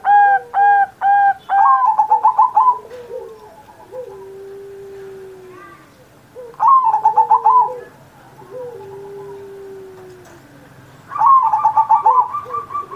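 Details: Perkutut, a zebra dove, in energetic song recorded for Indonesia's 79th Independence Day as a master to coax other pet doves into singing; three phrases of quick rolling coos, each opening with clipped notes, smooth low tones filling the gaps.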